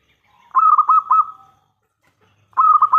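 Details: Local zebra dove in full voice, a loud caller used to lure other doves into answering: a stuttering run of four or five quick low coos that melts into a drawn-out tone, with a second run starting near the end.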